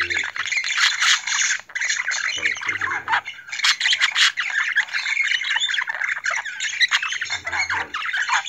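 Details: Talking budgerigar mimicking a spoken name: a dense, continuous stream of fast, scratchy, warbling chatter with squawky bursts, unbroken for most of the clip and with no other clear sounds.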